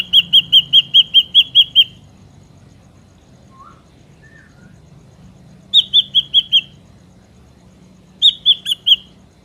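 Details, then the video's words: Ashy drongo, wild sound used as a lure for trapping: three bursts of rapid repeated whistled notes separated by pauses with soft low slurred whistles, over a faint low hum. "SUARA BURUNG SRIGUNTING ABU ASLI SUARA ALAM"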